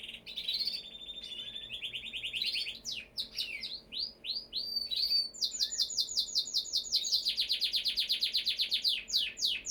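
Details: Canary song of varied phrases: a sustained high trill, scattered sweeping whistles, then long fast runs of rapidly repeated notes.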